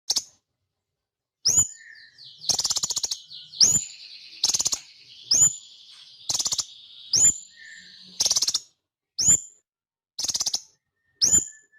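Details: Sunbird from Indonesia: sharp, very high chirps sweeping upward, repeated about every second, alternating with short buzzy rattling trills and a thin, sustained high trill running through the middle.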